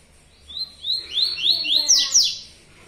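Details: Tui tuí style song of a yellow-bellied seedeater, a quick series of clear upslurred whistles that climb and quicken, ending in a brighter, louder cluster of notes.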